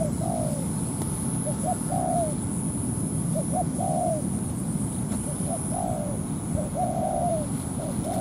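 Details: Ground-trap decoy scene: a spotted dove repeats low cooing phrases meant to bring a wild dove down to fight over territory. Each phrase has two brief notes and then a longer descending coo, with a low rumble and a faint high tone throughout.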